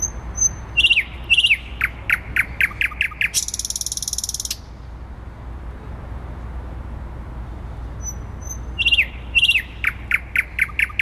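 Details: Thrush nightingale singing in the centre of Warsaw, Poland, 12 May 2020. Soft high whistles open a phrase of about ten hard, clicking notes. A harsh, buzzy rattle lasting over a second follows, then silence before another clicking phrase.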